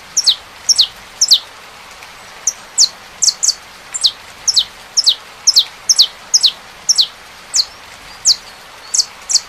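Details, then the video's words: Saffron finch song: bright, high, downward-slurred chirps given in loose runs with short pauses, over steady soft hiss that may be rain. "CANTO. CANÁRIO DA TERRA COM SOM DE CHUVA."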